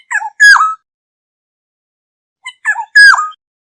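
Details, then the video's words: A Black-hooded oriole gives a flock-gathering call: two short phrases about two and a half seconds apart, each a quick fluty lead-in ending in a loud, harsh, slurred downward note; otherwise quiet. "Tiếng chim Vàng anh đầu đen mồi gọi bầy chuẩn mp3 | Black-hooded Oriole call sound"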